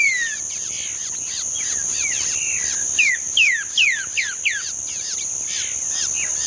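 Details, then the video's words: Green-winged saltator singing in the song style known as 'treme terra', recorded 31 May 2025: a run of loud, clear downward-slurred whistles clustered in the middle seconds over softer chirping, with a steady high insect buzz throughout. "trinca ferro TREME TERRA"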